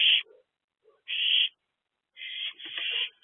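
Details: Owl at a nest box on a busy April night in 2024, around eight in the evening. Rasping, hissy screeches: one clipped burst, then a longer one, then a drawn-out wavering screech near the end.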